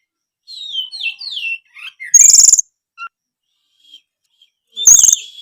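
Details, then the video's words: White-rumped shama, caged, singing to draw a response from other shamas: a few soft descending whistled notes followed by two loud, harsh, high buzzy bursts separated by quiet. "kacer malas bunyi drob pasti langsung respon denger suara kacer gacor ngeplongg"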